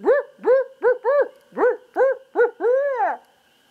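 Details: A barred owl, drawn in by a person calling, gives a rhythmic string of eight strong, rounded hoots at a steady pace, closing with a stretched, descending final hoot.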